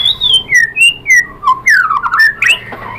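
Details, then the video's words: White-rumped shama (murai batu) song used as a lure to provoke other birds to answer and sing: a quick series of clear whistled notes, some level and some sliding down, then a run of falling and rising slurred phrases, about three per second. "MURAI BATU jadi NYAUT GACOR BONGKAR ISIAN ¦ PANCINGAN MURAI ¦ SHAMA BIRD"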